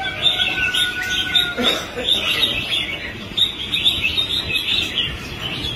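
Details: Red-whiskered bulbul, a newly caught male, in competitive-singing training, after a period of trouble. It gives bright chirping, warbled phrases in quick bursts, repeated through the recording, with a faint low hum beneath.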